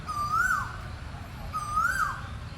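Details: Two loud, clear calls from an Asian koel (burung tuwu), each a drawn-out whistle swelling upward then dropping sharply, spaced about one and a half seconds apart, with low rumble underneath.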